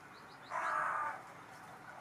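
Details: A fat crow, fed daily for years and staying near its feeding spot, gives one harsh, drawn-out caw lasting under a second over a faint, quiet background.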